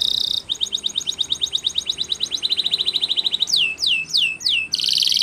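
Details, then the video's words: Spanish Timbrado canary training song: a bright rattle, then a long chain of quick clipped repeated notes, several swooping downward whistles, and a final metallic trill, over faint background hiss. "The Best Timbrado Canary Sounds !! Suitable For Timbrado Canary Training"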